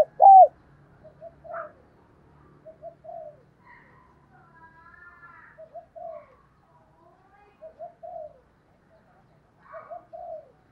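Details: Spotted dove decoy with a standard 'tho dong' voice calling wild doves: one loud coo opens, then soft paired coos repeat every two to three seconds against a quiet background.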